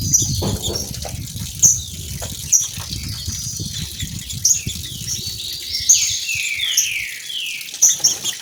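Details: Two female green-winged saltators sing to stir males into song. Downslurred whistled phrases repeat in short bursts, with sharp high notes at intervals, over the steady low rush of a waterfall.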